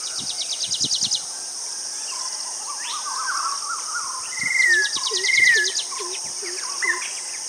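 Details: A White-bellied Drongo in Sri Lanka gives clear, slurred whistles that rise and fall over a steady high insect drone, with rapid ticking trills and soft low repeated notes from other birds.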